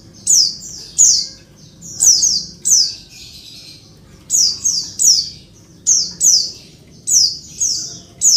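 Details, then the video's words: A female Oriental white-eye calling to trigger singing in males: steady run of high, piercing, downward-sweeping chips grouped in twos and threes, repeated about every second, faint hum underneath. "suara pleci betina ribut bikin jantan langsung ngalas"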